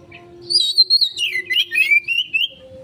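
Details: Oriental magpie-robin singing, used as a lure for a fast response: high whistled notes sliding downward into a rapid jumble of chirps and twittering, with a faint low hum beneath.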